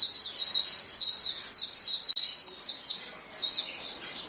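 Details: Many white-eyes calling to each other as a flock: rapid, shrill twittering notes tumbling over one another, bursts repeating fast and nearly without pause.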